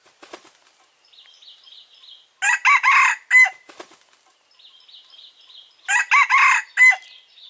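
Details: Male red junglefowl lure crow for trapping: two strong four-part crows about three and a half seconds apart, broken bursts like wing flapping around them and thin high chirping of small birds between.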